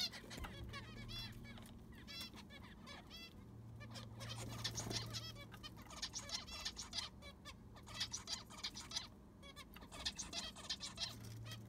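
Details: A busy aviary of zebra finches during cleaning with new sand: a dense, continuous chatter of nasal, honking beeps and clipped chirps from many birds, overlapping almost without pause, over a low electrical hum.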